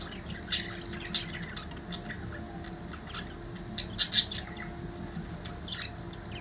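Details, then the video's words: Pet budgies fighting among themselves give scattered sharp, high squawks, the loudest a quick double burst toward the end, with quieter scratchy calls between and a constant low hum underneath. "Budgies fighting | budgies fighting each other"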